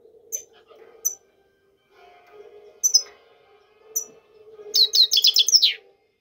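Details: European goldfinch giving scattered high, sharp chips, then a quick burst of bright, tinkling twittered notes near the end; a low steady hum runs underneath throughout.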